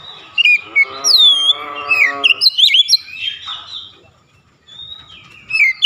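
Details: Oriental magpie-robin in 'shooting' repertoire song: loud sweeping whistles mixed with a buzzy, harsh, nasal phrase, then varied chirps, a quiet pause, and renewed whistled notes.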